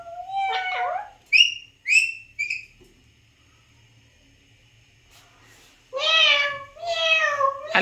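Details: Indoors, an Alexandrine parakeet mimics sounds: a twisting whistle and three short chirps, a quiet gap, then two loud, drawn-out meow imitations.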